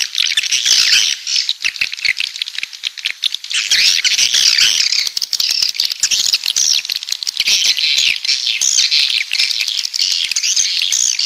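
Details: Coastal swiftlets from the south: a dense, continuous chorus of high, buzzy chirps and twittering from many birds, briefly dipping near four seconds before resuming at full strength.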